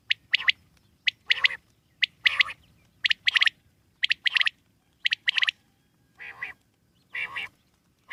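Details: Wild common quail repeating short, sharp three-note phrases about once a second, with several rougher, wider-toned calls near the end.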